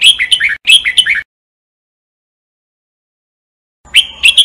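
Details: Singing-training recording of a red-whiskered bulbul: a pair of short, clear warbling phrases with sharp whistled notes, a long silent gap, then the phrase starting again at the very end; no background sounds.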